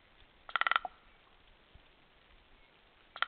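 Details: A common raven, feeding on the remains of a wild horse, gives a quick burst of five or six harsh, ringing notes, then a short lower note, and starts another burst after a pause.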